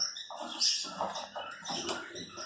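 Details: A 4-year-old female Congo African grey parrot, a pet, chatters indoors in short, slurred, speech-like phrases with squeaky, nasal syllables and a few higher whistled notes; faint room noise behind.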